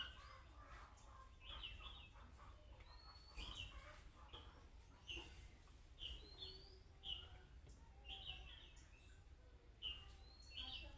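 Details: Calling-style chirps of a budgerigar, imitating chicks so other budgerigars respond: sharp rising whistled notes repeated about once a second, steady pattern throughout, with faint lower chatter and background hum.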